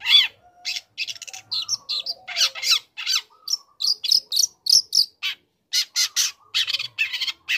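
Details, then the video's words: Young long-tailed shrike singing to provoke other shrikes: continuous varied chatter of harsh buzzes, squeaks and scratchy chirps in quick succession. "Pancingan Emosi | Cendet Muda Gacor Belajar Materi Bikin Cendet Manapun Auto Nyaut Emosi Ikut Bunyi"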